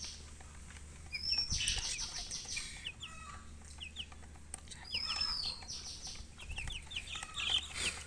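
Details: Young chickens chirping in scattered bursts of short, high, down-slurred peeps, with brief rustling and a couple of long whistled tones, over a steady low hum.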